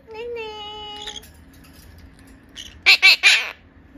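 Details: Four-year-old male monk parakeet begging its mother for food: a steady, hummed tone opens, then faint chatter, then three loud, harsh, rasping squawks in quick succession near the end, in a quiet room.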